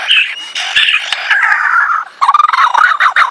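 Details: Male lyrebird displaying his whole repertoire: loud warbling and squawky phrases shifting between pitches, a brief pause near two seconds, then a rapid burst of fluttering, rippling notes.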